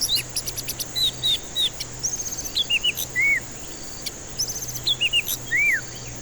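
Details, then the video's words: Lure recording of a white-rumped shama for birds too stressed to sing: high pulsed notes and short downward whistles, then arched, slurred whistles, with the phrase pattern repeating once; a faint steady hum throughout. "Pancingan murai batu ampuh cocok untuk pancingan murai batu stres malas bunyi"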